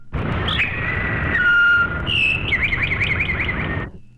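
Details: Towhee song slowed down to reveal musical intervals of a fourth and fifth: long, pure whistled notes stepping downward, then a quick rolling trill of repeated notes, over a steady low rumble.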